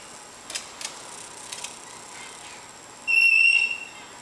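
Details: Pet lorikeet clumsily playing on a coffee table; a few soft taps, then one bright, steady whistle of about half a second.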